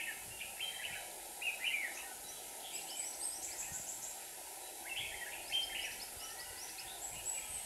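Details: Caged decoy red-whiskered bulbuls singing beside a trap set for a wild bird in Hòa Bình, Vietnam; brief chirpy whistled phrases come in bursts, with fainter high twitters and constant background hiss.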